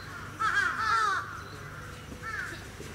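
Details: Sarus crane in captivity at a Japanese safari park in Gunma, 10 November 2018, giving one long rolling trumpet-like call lasting under a second, followed by a fainter shorter answering note over low hum.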